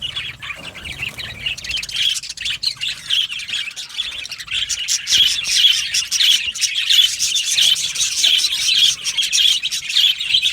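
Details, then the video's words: Budgerigars in an aviary colony singing and chirping together: continuous overlapping warbles, chirps and chatter from many birds with no breaks. "Beautiful Budgie singing and chirping sounds"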